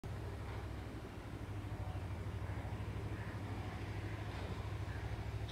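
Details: Steady low engine rumble from a passing vehicle, with no animal calls heard.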